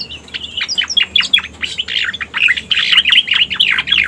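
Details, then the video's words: Lure recording of a striated grassbird: quick twittering notes that build into a denser, louder chatter in the second half. "Suara Pikat Burung Cica Koreng"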